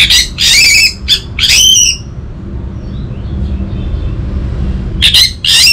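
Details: Orange-headed thrush, a caged bird from North Bali, singing loud bursts of harsh, rich, varied phrases separated by pauses, with a low background rumble.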